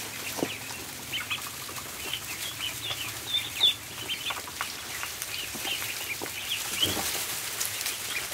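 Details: Feeding-time ducklings on a barn floor, with clear short high peeps and chirps repeated throughout, plus soft tapping and shuffling noises.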